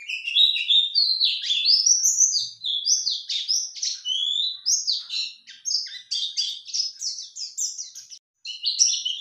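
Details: A male white-eye answers a lure with an energetic, high-pitched chatter of rapid chirps and rising whistled slurs that runs almost without pause.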